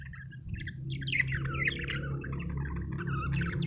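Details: Budgerigar chatter: a dense, continuous warble of quick chirps and twittering notes, rising and falling without pause and growing slightly louder, over a steady low hum.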